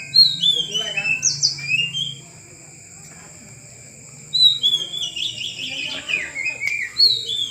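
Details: Oriental magpie-robin kept in a cage during taming, giving bursts of clear descending whistles and rapid trilled notes, split by a two-second pause, with low voices murmuring nearby.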